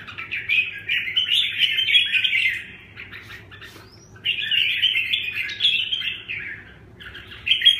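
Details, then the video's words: Red-whiskered bulbul singing in the 'tiep khach' style: bright, rapid warbled phrases of chirps and slurred whistles, two long bursts separated by a short pause, over a faint low hum. "Tiep khach -Kênh về chim Chào mào"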